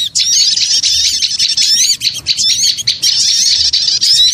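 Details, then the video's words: Continuous high-pitched chatter of small birds used as a lure, many overlapping twitters and thin squeaks with only momentary dips. "Suara Pikat Burung Kecil Ribut Ampuh"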